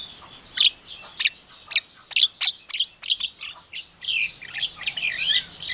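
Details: Mimicking Javan myna copying a hen calling her chicks, an Asian pied starling and a hungry civet: loud, high, clipped chirps and squeaks come about twice a second, then run into a faster, denser chatter of warbled notes.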